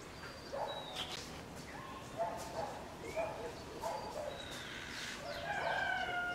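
Tropical Mockingbird giving a varied run of short, harsh, slightly nasal notes and quick whistled slurs, several per second, with a steady hiss behind.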